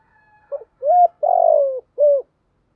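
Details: Spotted dove lure coo, a female's call used to make decoy doves respond. One phrase: a soft short coo, an even mid note, a long buzzy falling coo and a closing level note.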